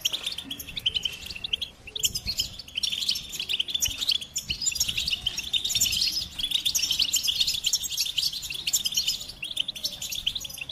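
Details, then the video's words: Sustained goldfinch song: rapid, jingling twitters and buzzy trills pour out almost nonstop, high and bright, with quiet low background noise. "Experience the Goldfinch Singing"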